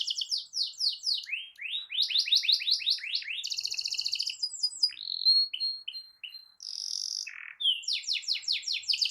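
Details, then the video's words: Canary singing a long rolling song to prompt other canaries to sing: quick series of sweeping chirps, a buzzy trill, short whistled notes and another run of repeated sweeps. "Kicau Kenari Gacor Efektif PANCING EMOSI Kenari lain Cepat ikut gacor Ngerol panjang"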